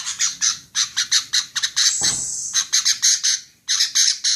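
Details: Scratchy chattering from a female sooty-headed bulbul, quick harsh notes broken by a loud, sharp thump and a high thin whistle around the middle, then further bursts of calls.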